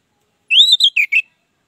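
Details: Orange-headed thrush in ngeplong style song, used as a lure to prompt silent birds: one short phrase of a long rising whistle followed by three quick downslurred notes.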